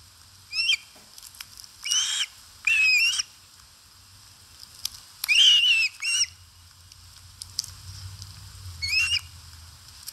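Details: Osprey eating at a nest in Satakunta, Finland, recorded by a live nest camera on 4 August 2022; short piercing whistled chirps arrive in about six bursts at uneven intervals, with a low rumbling murmur in the latter half.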